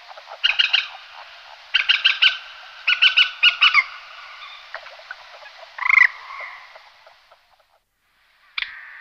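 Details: Common moorhen giving alarm calls: clusters of harsh, rapid croaking bursts in quick runs, then a single louder sharp squawk and a final abrupt note after a pause, over a steady faint hiss.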